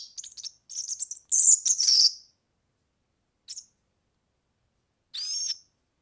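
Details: European serin song used in tutoring young birds: rapid, high, scratchy jingling phrases, then a lone short chirp and a sweeping whistled, buzzy note after long pauses.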